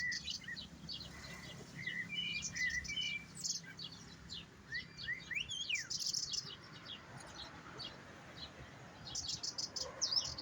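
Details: European goldfinch singing: quick liquid twittering runs of high chips mixed with slurred rising and falling whistles and brief trills, delivered in irregular bursts over soft background noise.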